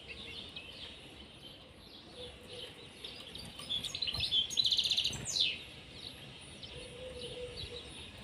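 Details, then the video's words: Pair of European serins in a cage, with a brief burst of high, fast jingling song in the middle, otherwise faint distant twitters and steady low background noise. "طائر البسبوس في القفص_serin cini en couple dans la cage"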